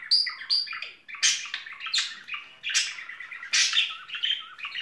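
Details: Spring courtship chatter from a pair of budgerigars. It opens with a few high whistled notes, then gives dense, scratchy warbling with repeated harsh squawks about every second.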